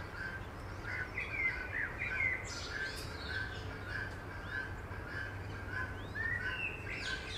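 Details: Eurasian coot family with seven chicks recorded in Beverwijk, the Netherlands: repeated short peeps with scattered higher squeaky whistles, a burst of harsher sound midway, and a steady low rumble.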